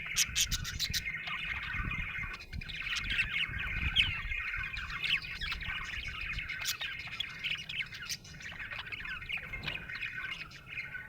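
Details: Extended happy budgie chatter: dense twittering chirps and clicky squeaks flowing continuously, with a flurry of sharp clicks at the start and muffled low thuds in the background.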